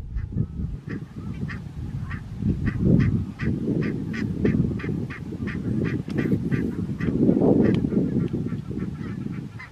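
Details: Barnacle geese at Strijen, South Holland, the Netherlands, on 4 November 2024: a flock giving rapid, short yapping calls repeated several times a second over a constant low rumble of wind or background noise.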